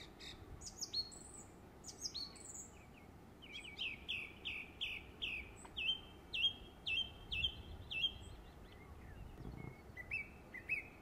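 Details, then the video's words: Song thrush summer song recorded in West Cornwall, England: bright, high phrases, each repeated several times in a row, a run of clipped whistled notes near the middle, then new figures, over faint background hiss. "Songthrush - Summer Song"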